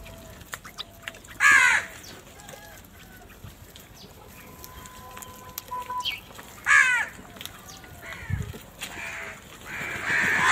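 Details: Crows in a big gathering, fighting for food. Two loud, raspy caws stand about five seconds apart, with softer calls, clicks and a faint steady tone between them in a quiet outdoor setting.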